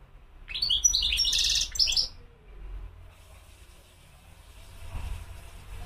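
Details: European goldfinch (mqnin) giving one brief burst of rapid, tinkling twitter with a dense buzzy middle, lasting about a second and a half, followed by near silence and a low background rumble.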